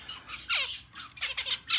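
Zebra finches giving nasal, squeaky calls that sound like a small squeeze toy.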